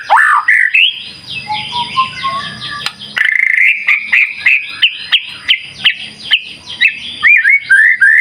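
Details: White-rumped shama in full song, used to spur other shamas: an opening whistled phrase, a quieter stretch with a soft low hum, then rapid chattering notes repeated over a steady high whistle.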